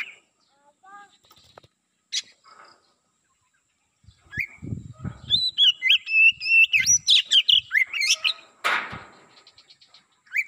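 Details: A black-breasted Oriental magpie-robin (kacer), used as a lure to attract wild kacer, sings a fast, rich run of loud, varied whistles and slurred notes, with soft knocks and a harsh burst near the end.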